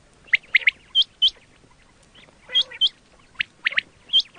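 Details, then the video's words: Quail voice for hunting: sparse clear chirps, a quick triple, then hooked whistled notes in pairs, separated by a pause of over a second, with faint softer calls underneath. "quail 2024 Fresh sound Batair Ki awaz"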